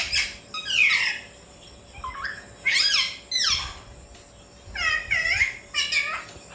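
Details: Alexandrine parakeet learning to talk: bursts of bright, harmonic, bending syllables, some rising then falling, in phrases about every second or two, with quiet pauses between and a steady low hum behind.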